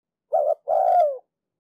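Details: Decoy spotted dove from Ninh Thuận giving 'thúc lơi' coos meant to get wild-caught doves calling: one mellow, wavering coo followed by a longer drawn-out note falling in pitch at the end, in a quiet setting.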